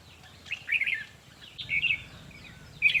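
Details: Red-whiskered bulbul in a decoy-trapping setting, song played to stir up caged birds: two short liquid, warbled phrases around mid pitch, half a second apart, with a low hum underneath.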